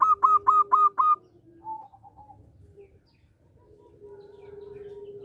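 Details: Local zebra dove singing clearly and rhythmically, used as a lure for other birds: five loud, staccato cooing notes at a quick even pace, then softer trailing notes and a long low steady hum.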